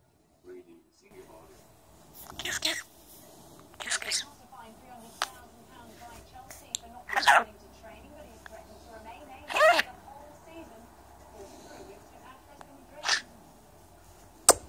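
A budgerigar chatters in a soft, fast warble broken by sharp, hissy bursts that mimic human speech.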